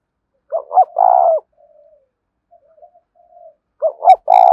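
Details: Spotted dove 'thúc' cooing played to lure wild doves: a phrase of two short notes and a long, rough coo, then quiet low murmurs, then the phrase starting again with a sharp click-like accent.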